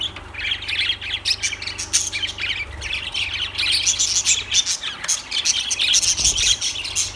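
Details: Lovebirds keep up a steady stream of high, scratchy chirps and squeaky squawks without pause, backed by a low constant hum.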